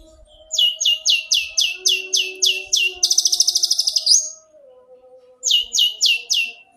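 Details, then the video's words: Long-tailed shrike song used for training caged birds, a series of high downslurred notes about three per second, then a fast buzzy trill, a pause, and four more downslurred notes over a faint low whistle. "SUWARA BURUNG CENDET"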